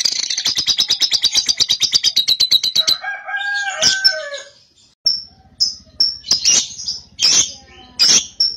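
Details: Cobalt lovebird in a practice-feeding stage, a young bird, kept caged, giving a long rapid ngekek trill of evenly pulsed high chattering notes for about three seconds, then scratchy squeaks and short high chirps with a faint low hum behind.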